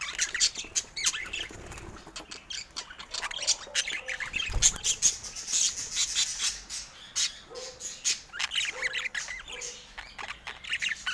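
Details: Indoor adult budgerigars: an irregular run of clicky ticks and brief scratchy squeaks, with a few soft low warbles later and occasional louder chirps over a faint background hiss.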